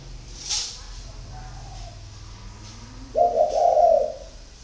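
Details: Spotted dove, a 'thổ khách có vấp' type, from a Ba Vì dove garden: a soft click early on, then after a pause a low, husky coo with a slight break in the middle.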